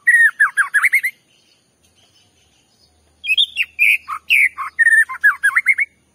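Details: Loud, varied white-rumped shama song meant to rile up another shama: a rapid run of fluty, warbled notes, a two-second pause, then a longer stream of rich whistles and sharp chips.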